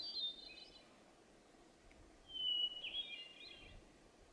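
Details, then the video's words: A bird heard on the Pacific Crest Trail in 2019, thought possibly a hermit thrush, sings a clear, steady, high whistled note, then a swirling, flute-like flurry of higher notes. Two phrases come about two seconds apart over quiet outdoor hush. "The bird call at 20:30 may have been a hermit thrush"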